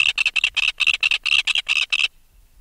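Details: Close-up alarm rattle of an adult red-billed tropicbird removed from its nest: about ten harsh, screechy pulses in quick succession over two seconds, then abrupt silence.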